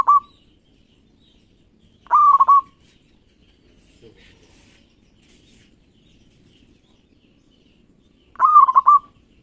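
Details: Local zebra dove singing actively, used to lure other doves: three loud stuttering coo phrases with long quiet gaps between them.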